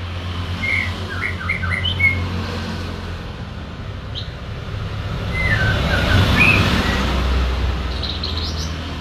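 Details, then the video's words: White-rumped shama giving short, spaced whistled and chirped notes around the upper-middle range, some slurred upward, with a brief burst of higher notes near the end, over steady low traffic rumble. "BURUNG MURAI BATU"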